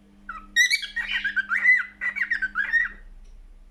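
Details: Cockatiel song: a rapid burst of about two and a half seconds of harsh squawky notes leading into warbling whistled chirps that rise and fall, over a faint constant electrical hum.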